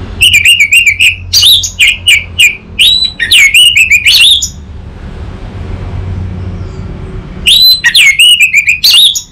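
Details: Orange-headed thrush in captivity at Singaraja, north Bali, Indonesia, singing a lure for untrained birds: long runs of loud, hooked whistled chirps in rapid succession, a three-second pause, then another energetic run.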